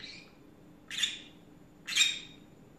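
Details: Pet green-cheeked conure chattering in the afternoon: a faint opening call, then two harsh, raspy squawks spaced one second apart over a low indoor hum.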